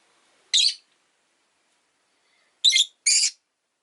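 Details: Caged rosy-faced lovebirds, five kept by a window: one loud harsh shriek, a long pause, then two more rasping shrieks close together.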